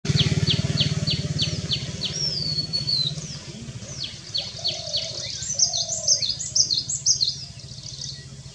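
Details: Asian paradise flycatcher (Terpsiphone paradisi) giving a quick run of sharp, high, down-slurred notes, then a thin whistle and a jumble of chirps, over a low engine rumble.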